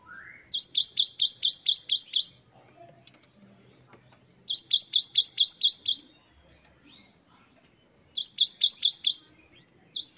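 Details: Gelatik batu, the Great tit, repeating a rapid series of thin high notes, about eight per burst, in three bursts spaced a few seconds apart, wucit2 style variation.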